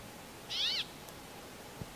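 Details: A single harsh, nasal wheeze from a brambling calling to its mates, short and arched, with a quiet hiss and a faint low thump afterward.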